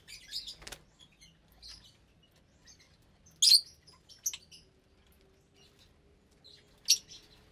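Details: Lovebirds feeding in an aviary of around 25 birds, breeding and raising chicks: a few loud, piercing chirps spaced several seconds apart, with quieter twitters and near silence between them.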